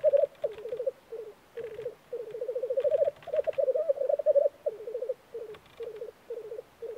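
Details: Black grouse at a spring lek in Norway: low, rolling, dove-like bubbling phrases, several voices overlapping in quick succession, with brief breathy hissing notes between.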